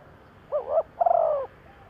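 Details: A single cooing phrase from a decoy spotted dove used to attract wild doves: a wavering two-note lead-in, then one long, slightly pulsing coo over faint background noise.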